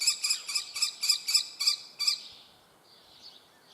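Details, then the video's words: A young common kestrel gives eight loud, sharp squealing notes in quick succession, then falls silent, leaving only a faint hiss and softer wheezy sounds at the end. "common kestrel young bird is calling. Turmfalke Jungvogel bettelt"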